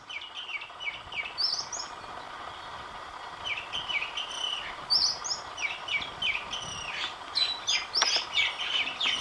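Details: Oriental magpie-robin singing, recorded over several days with a new tune each day: varied whistled phrases, short rising and falling notes repeated about three per second, with higher sweet notes mixed in over a faint steady background hum.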